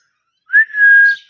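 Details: Parrot, called mithu, kept as a pet, giving one clear whistled note that rises briefly, then holds a long steady tone with a short bright upward flick at the end.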